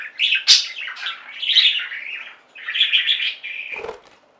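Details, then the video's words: Budgie flock chirping and warbling, soft scratchy chatter with a few squeaky notes, ending with a brief rattling clatter and then quiet. "Most Beautiful Budgie songs Ever: Budgies singing and chirping"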